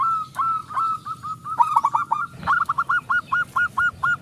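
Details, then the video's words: Local zebra dove in full song, used as a lure to make other doves sing; a long, even series of crisp cooing notes, about three per second, after a rougher opening. "perkutut lokal gacor suara besar pancingan super ampuh"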